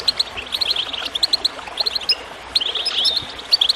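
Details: Goldfinch song over soft water noise, clusters of quick high chirps broken by short gaps, then a brighter run of sweeping, slurred notes.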